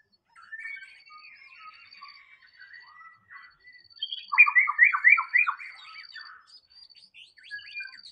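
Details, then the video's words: Wild white-rumped shama song: soft chattering and twittering phrases, then a loud burst of quickly repeated rich whistled notes, followed by quieter mixed chirps, a faint steady high tone throughout. "SUARA BURUNG MURAI BATU SUARA ASLI DI ALAM BEBAS"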